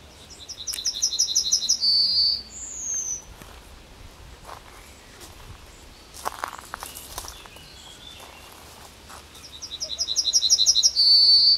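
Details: At the edge of Kabaty forest a Yellowhammer gives two songs, each a quick series of high, repeated chipping notes ending in a longer sustained note. Between the songs come rustling and footstep-like noises.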